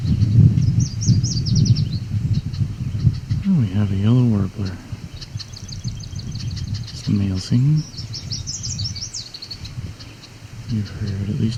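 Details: A male Yellow Warbler in edge habitat near Cape Chin North, Ontario, Canada, on 17 July 2019 sings bright, high, quick "sweet-sweet-sweeter than sweet" phrases twice, the second a slightly different variant, while a man talks over it with faint music.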